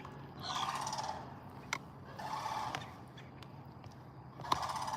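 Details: Sandhill crane heard from a kayak in North Carolina shallows: three harsh, rolling calls about two seconds apart, each a rough burst lasting under a second, over water and paddling noises.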